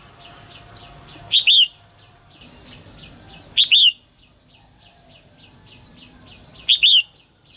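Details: Female bird calling to excite males into song: loud doubled chirps, a brief note and a longer curved whistle, repeated three times at two-to-three-second intervals over a busy background of faint repetitive chirping and a high steady tone.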